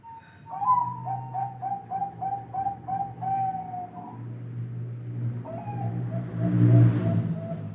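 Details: Zebra dove of the Bangkok type cooing: a steady run of soft, pulsed, mellow coos on a fairly even pitch, then a brief pause and a second, quieter series, over low rumbling background noise.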